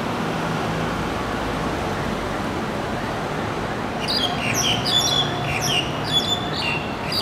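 A Black-collared Starling gives harsh, squeaky, chattering notes in the second half, over steady traffic rumble.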